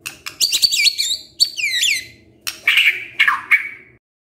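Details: White-rumped shama giving kretekan, a crackling call meant to stir up emotion: harsh rapid clicking bursts mixed with high whistled sweeps, in several short outbursts.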